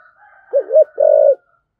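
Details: Single spotted dove phrase in 'giọng thổ' thúc gù style, used to provoke wild doves: a dipping double low note, then one sustained mellow coo, over a thin faint hum.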